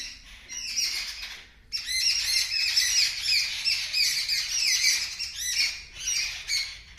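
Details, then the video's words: Several birds scream loudly in response to a kitten making a strange sound on seeing them: harsh, overlapping, nearly continuous chatter of high squawks and chirps after a brief pause. "The Birds Are Screaming Loudly"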